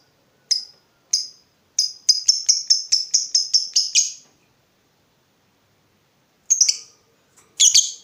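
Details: Lovebird sound meant to prompt other lovebirds to answer with 'ngekek'. Isolated sharp high chirps lead into a run of about ten quick, evenly spaced clipped notes, then silence and two more scratchy chirps.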